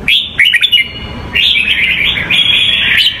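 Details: Huế-style song of a red-whiskered bulbul, used for training young birds: rapid bright whistled notes at the start, then a long warbling run of clear phrases against a continuous high background tone.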